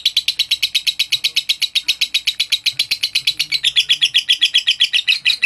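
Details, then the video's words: A lovebird calling to provoke a rival chatters in a fast, shrill, buzzy run of notes, about four a second, high-pitched and steady throughout, with no other clear sounds. "Suara Lovebird Pemancing Lawan"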